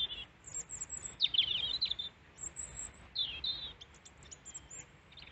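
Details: European robin in Peasholm Glen, Scarborough, UK, singing to a person after landing on the hand six times for seed; rapid high warbled phrases with tinkling, very high notes, repeated with brief pauses.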